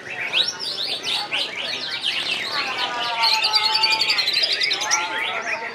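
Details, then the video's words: Greater green leafbird, local type Pandan Wangi, singing at a bird-singing practice contest at Serasam Sekura; dense rapid stream of buzzy, sweeping high whistles and chattering notes, fast varied phrases without pause, faint voices of people behind. "Cucak Ijo Pandan Wangi Nagen Satu Titik"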